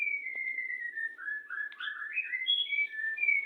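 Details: White-rumped shama in a breeding setup, courting before mating: clear whistled notes sliding gently downward, then a run of rising and falling warbled phrases around mid-high pitch, steady throughout with faint low background hum.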